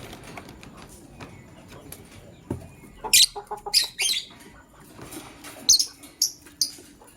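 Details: Male lovebird choosing a partner, in the morning: after a quiet start, shrill, buzzy, very high chirps come in two clusters of four or five sharp bursts each, over faint background clatter.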